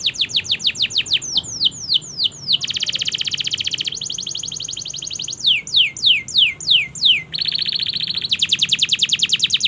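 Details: Canary in a long training song: series of falling whistled sweeps alternate with dense, buzzy, rapid trills, each section lasting a second or two.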